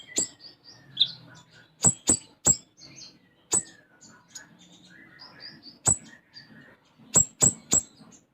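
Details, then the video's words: Sunbird in active song filled with sparrow-like phrases (isian gereja): scattered high chirps and short twittering phrases, interrupted repeatedly by loud, sharp tapping clicks. "Konin Gacor Isian Gereja"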